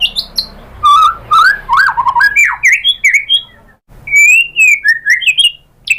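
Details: White-rumped shama song used as a lure to provoke another bird into singing: varied, fluid whistled phrases, sliding and rising, mixed with sharp clicks and short high notes, with a brief pause mid-way.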